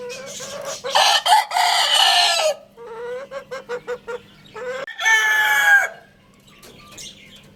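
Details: Lohmann Brown rooster crowing twice: a long harsh drawn-out note breaking into a run of short clipped syllables, then a second loud strained crow near the end, with quiet background chatter between.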